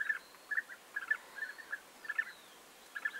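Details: European bee-eaters, 29 May 2021: short clusters of two or three rolling, mellow calls, separated by brief pauses, loud and clean.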